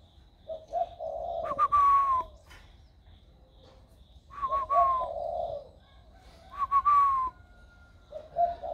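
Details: Caged spotted dove, about one year old, raised from young, just beginning to coo in a warm 'thổ' voice style; low hooting coos alternate with a sharp falling whistle, and the pattern recurs about every three seconds.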